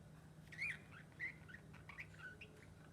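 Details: Pet lovebird playing with a bell, giving a few short sweet chirps with bright rising and falling inflections, spaced irregularly over a few seconds against a steady low hum.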